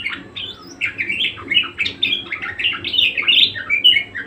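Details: Energetic Budgerigar warble, starting softly then building into a busy stream of quick chirps, squeaks and rising and falling twitters, with faint low hum behind.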